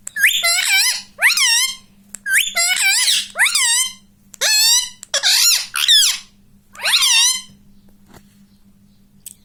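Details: Talking pet rose-ringed parakeet kept indoors repeats "mummy" in a string of about eight loud, shrill, harmonic bursts, each with a rising-then-falling squeaky contour, steady electrical hum underneath.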